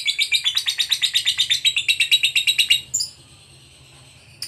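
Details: A fighter lovebird delivers ngekek chattering as bait for other lovebirds, a rapid run of harsh, buzzy pulses for about three seconds that stops abruptly, leaving a faint thin high note and quiet.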